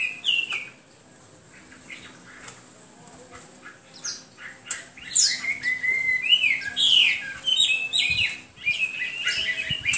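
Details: Hwamei song that starts with a few soft scattered notes, then swells after the midpoint into loud, rich, varied whistling with quick slurred phrases and rapid note changes.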